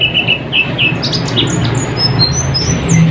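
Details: Oriental white-eye song used as night tutoring for caged birds: a few clipped chirps at the start, then soft thin high whistles spaced out, over a steady low-frequency hum.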